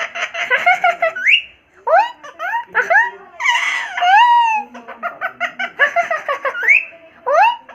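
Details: Indian ringneck parrot kept as a pet, making funny sounds: chattering, speech-like bursts mixed with loud upward-sweeping squawks, some bending down again, with brief pauses between phrases.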